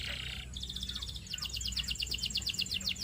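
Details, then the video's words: Quieter Belgian canary song: a brief buzzy phrase, then clipped high notes in quick succession over a low background hum. "Belgian Canary Tempts All Canaries to Sing!!!"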